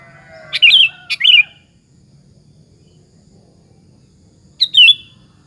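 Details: Sooty-headed bulbul singing as a lure to make other bulbuls respond: two quick liquid, warbling notes near the start, then a pause of about three seconds before one more similar rolling note; faint low background hum.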